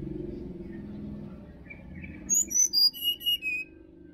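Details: Sirdadu singing in a Bali forest: after faint chirps over low rumble, a crisp series of about six loud whistled notes drops from very high to mid pitch.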